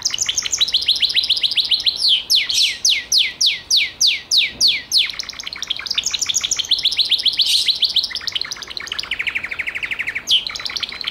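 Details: Gloster canary singing a varied song: rapid high chirping trills, then a run of louder downward-sweeping notes about four per second, then shifting buzzy rolls and a fast, even trill near the end.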